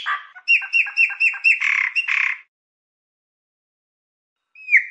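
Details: Chopi blackbird song to excite a pet bird into singing: a harsh opening note, then about eight evenly repeated clipped whistled notes and two scratchy buzzes, silence, and a final downslurred whistle.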